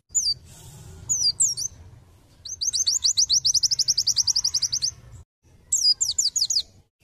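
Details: Pleci white-eye lure in 'nembak' style: a few high slurred notes, then a long machine-gun run of roughly twenty-five rapid, sharp descending chirps, a short silence, and another quick burst.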